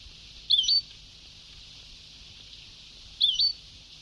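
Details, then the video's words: Two identical short, zigzagging chirps from a European goldfinch, about 2.7 seconds apart, on an old Sebtaoui-style tape with steady hiss. "Canto del jilguero antiguo شريط تغريد سبتاوي قدييييييم روعة"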